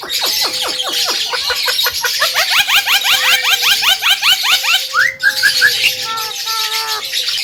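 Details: Javan myna song recorded for use as a master recording to train other birds: a fast run of clear, rising harmonic notes over a long steady whistle, then a sharper whistled phrase, over constant high hiss.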